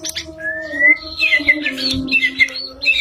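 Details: White-rumped shama singing with a rising whistle, then repeated short sharp whistled notes among scratchy chatter, while low steady tones hum throughout.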